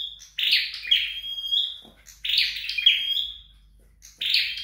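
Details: Home-trained flowerpecker repeating a phrase about every two seconds: a harsh, fizzy burst, then a long, level, piercing whistle that fades, followed by quiet gaps.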